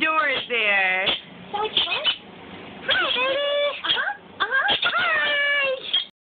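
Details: Hungry baby green-cheeked conure, captive, begging just before being fed, recorded on a phone that distorted the loud calls: harsh, rasping, rising-and-falling screeches in long bursts, fuzzy and clipped, with brief gaps between bursts.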